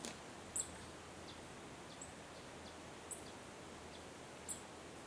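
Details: A male White-throated Mountain-gem (Lampornis castaneoventris) at Savegre, Costa Rica gives three thin, very high, sharp chips spaced irregularly over five seconds, with soft ticking and a steady background hiss.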